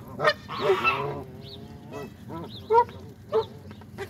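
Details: Pond waterfowl being fed on a Saturday morning: a few loud, separate nasal honks and harsh squawks stand out from quieter calling, with a low hum behind.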